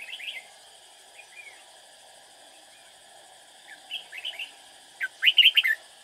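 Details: Decoy red-whiskered bulbul during trapping, singing to draw in rival birds: scattered short chirps, then two separate warbling phrases, the last loud and clipped, with a constant mechanical hum behind.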